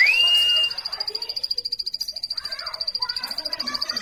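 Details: Opening with a drawn-out rising whistle, then a quick, high, pulsing trill from a plain prinia, roughly three to four notes a second, over faint background calls.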